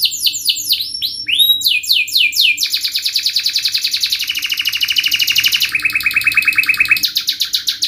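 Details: Vigorous canary song in fast, sharp style used as a tutor for young canaries: repeated descending whistled sweeps, then long rapid buzzy trills that step down in pitch, ending with more sweeps.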